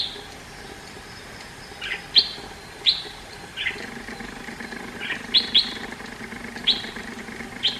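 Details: Indian red-whiskered bulbul: bright, high, clipped notes, some doubled, mixed with a few softer, lower slurred notes, at irregular intervals over steady low background noise.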